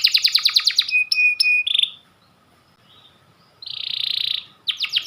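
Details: White canary of the panda type singing: a burst of quick trills and twin metallic notes, a short near-silent pause, then a long buzzy roll and a fresh run of rapid trills.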